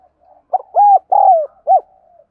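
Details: One phrase of spotted dove coo meant for training and luring birds: quick first note, two long arched coos, the second tapering down, a short last note, and faint low murmurs around it.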